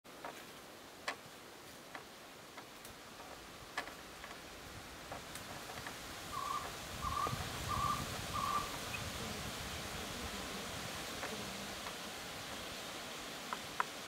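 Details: Cuban trogon (tocororo) singing at Ciénaga de Zapata, Cuba, in April: a short run of four low, hollow notes about half a second apart against steady background hiss and scattered clicks.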